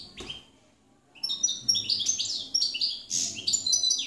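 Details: Campero goldfinch from 2017 starts after a near-silent second, then bursts into rapid, tinkling chirps and buzzy twitters in quick succession.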